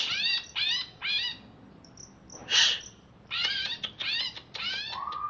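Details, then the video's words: A freshly bathed caged greater green leafbird from the Alas Purwo forest, Banyuwangi, in crewet chatter: grouped buzzy rising notes, a harsh hissing burst, then more rasping sweeps ending in a smooth low whistle. "Cucak Ijo Alas Purwo Banyuwangi Crewet"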